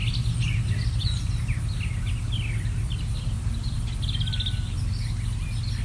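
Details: Birds chirping in a forest and neighborhood on a sunny summer day: short, bright chirps and twitters scattered throughout, over a steady low rumble in the background.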